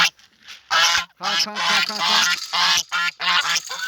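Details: Domestic geese on a farm walking over to the farmer and honking beside a shallow, muddy pond on a September morning; loud harsh nasal honks in quick bursts, several overlapping, with short gaps between volleys.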